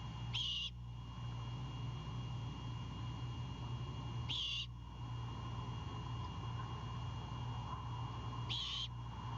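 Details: Great horned owlet at a nest at night, on the defense as its father brings a bird as prey: three short, harsh, hissing screeches about four seconds apart over a steady low electrical hum.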